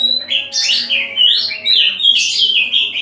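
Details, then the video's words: Oriental magpie-robin, locally called kacer, singing melodiously: a loud continuous run of rich warbled and slurred whistles, varied and fluid, with harsh high bursts mixed in; faint low hum beneath. "Burung Kacer Merdu"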